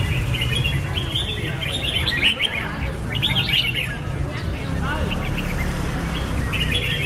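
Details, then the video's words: Red-whiskered bulbul giving short, bright chirping phrases in loose bursts, with pauses between groups, over a steady low rumbling background. "Birds Red-whiskered bulbul (Pycnonotus jocosus) Chants Extreme Peak"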